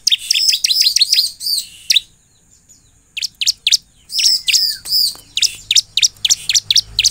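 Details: A crescent-chested puffback sings eagerly, meant to trigger replies from other birds: a fast run of piercing chirps, a pause, then scattered high notes and a thin rising whistle before chirping resumes.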